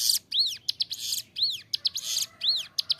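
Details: Bar-winged prinia (ciblek gunung) singing persistently in a clear voice, a tutor recording for training captive birds: arched whistled notes alternate with harsh buzzy bursts, about one phrase per second.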